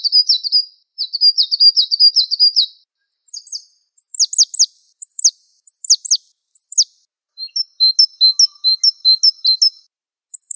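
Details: Java sparrow song in a mastering recording: a buzzy, rapidly trilled phrase, then sharp descending notes and high chirps repeated about twice a second, ending in quick two-note twitters. No other sounds.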